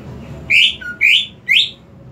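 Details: Greater green leafbird, a cage bird, singing three loud, rich upward-sliding whistles about half a second apart, with a brief low whistle after the first.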